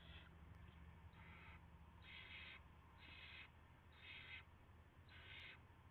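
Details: Owl at its nest on 9 March 2016 before dawn, prey being delivered; harsh, noisy hissing bursts about half a second long, about one per second, growing louder after the first, over faint low hum.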